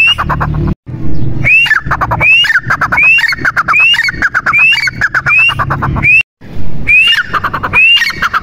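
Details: Francolin (teetar) calls, male and female: a rising whistled note followed by a rapid harsh chattering run, repeated about every 0.7 seconds with two short silent gaps, over a low rumbling background.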